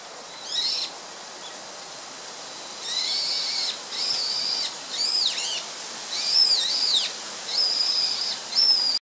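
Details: Song thrush, a rare bird, recorded 24 March 2014, delivering a run of varied high, ringing phrases. Some are trilled, others are arched whistles, with several phrases repeated back to back at roughly one-second intervals against a quiet backdrop.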